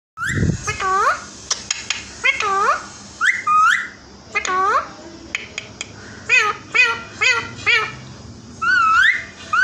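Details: A hand-tame male Indian ringneck parakeet talks in a high, nasal, squeaky voice, giving short word-like phrases about every second with brief pauses between them.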